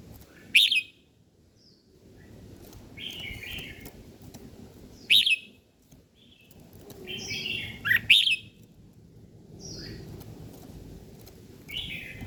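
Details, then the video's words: Morning birdsong: loud, sharp chirps and short bright phrases come in bursts every few seconds, some doubled, with softer twittering between them and a low background rumble. "Buổi sáng nghe chim hót chơi"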